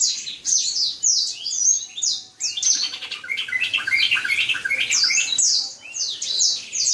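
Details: Black-throated canary (Serinus atrogularis), a songbird kept for song contests and as a tutor for other birds. Rapid, dense, high twittering warble of sweeping trills and chirps that runs almost without pause and dips briefly twice.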